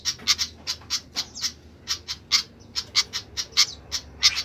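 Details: A flycatcher (sikatan) calls noisily in a rapid series of short, scratchy chips, some doubled, spaced unevenly about every half second.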